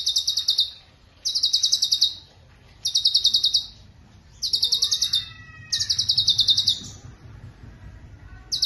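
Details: Cucak cungkok, a bird able to mimic others, singing rapid high pulsed trills in evenly spaced bursts, with faint lower sliding whistles from another bird in the background.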